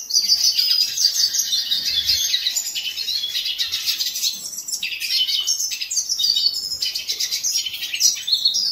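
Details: A hooded siskin (Spinus magellanicus) sings a fast, unbroken stream of high twittering and buzzy trills, with sharp chirps and brief pauses throughout.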